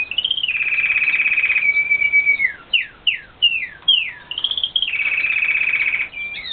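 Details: Caged red factor canaries singing near their young: a long bright rolling trill, a series of quick downslurred whistles, a short rattling phrase, then another sustained trill and rising notes, loud and clear throughout.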